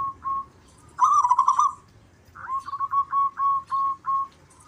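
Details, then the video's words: Zebra doves, a local strain, trade songs back and forth. Two short notes lead to a throaty rolling coo, then a rising note opens a run of about six clipped, evenly pitched notes over a soft low background rumble. "Perkutut lokal suara gacor Mp3 dijamin saling sahutan"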